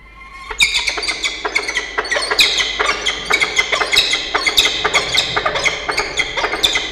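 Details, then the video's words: Peregrine falcons in a nest box on the Charles Sturt University campus in Orange, NSW, Australia, on 5 December 2021, two birds conversing at the nest: rapid runs of harsh, scratchy chattering notes repeating closely, echoing inside the box. "Xavier's shorts conversation with Diamond"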